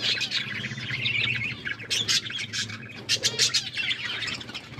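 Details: A group of pet budgies feeding and playing with food chatter continuously in high, warbling chirps with sharper clicks and squeaks. A steady low hum runs beneath the calls.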